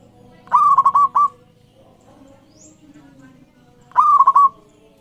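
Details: Local Javan zebra dove in full song, used as a training and lure recording to get other zebra doves singing: two loud phrases about three and a half seconds apart, each a rising note followed by quick stuttering coos, over a steady low hum.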